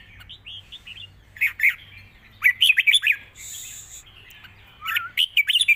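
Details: Red-whiskered bulbul singing a long song in wild-style phrasing, with both singing and rik notes: short bright warbled phrases that rise and fall, in bursts separated by pauses, with sharp clicks and a faint low hum beneath.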